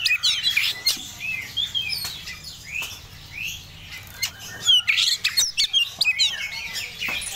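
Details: Oriental magpie-robin of the Medan type, in breeding condition, singing varied clear whistled notes, slurred rising and falling phrases mixed with sharp chirps and short squawky bursts, delivered in quick irregular runs with brief pauses.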